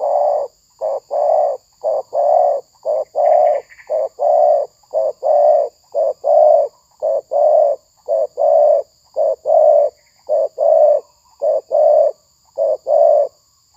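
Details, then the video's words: Spotted dove (tekukur) during decoy trapping with the trapper's bird fighting two rival doves; a long steady run of low soft coos in short-long pairs, repeated about once a second without break. "Pikat tekukur"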